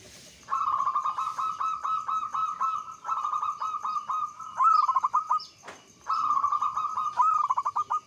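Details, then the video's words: Zebra dove of the local type, singing lure phrases meant to draw other doves into song. Nearly continuous cooing, with steady pulsed notes run into trilled endings, repeated phrase after phrase, and a single sharp click midway. "PERKUTUT Lokal GACOR, 100% OBAT MALAS BUNYI kutut lokal biar gacor 2 detik langsung NYAUT Pancingan"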